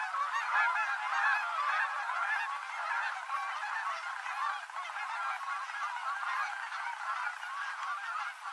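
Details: Large gathering of Canada geese on the Rogue River, Oregon, landing with full flaps at the end of the day; loud, dense honking chorus, slightly fading midway and swelling again.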